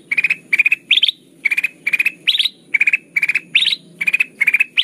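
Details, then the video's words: Ruby-throated bulbul (kutilang emas) lure song for trapping, vigorous and chattering: a rapid, slightly irregular run of bright multi-note rattles, roughly two per second, some pitched higher with rising starts, over soft background hum. "Suara pikat kutilang emas gacor"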